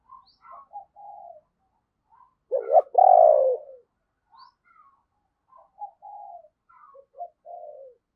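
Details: Decoy spotted dove calling wild doves with 'thúc' and 'gáy' calls. Quiet, soft humming notes lead to one loud, rough, drawn-out double coo, then more soft low murmured notes, with no other sounds.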